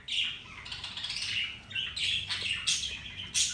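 A pet Alexandrine parakeet gives a run of harsh, high chattering squawks and chirps in uneven bursts, with no clear words and no other sounds.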